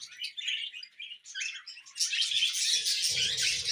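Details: Pet budgerigars give scattered short chirps and squeaky notes. After about two seconds these swell into loud, continuous warbling chatter, with faint low rustling underneath toward the end.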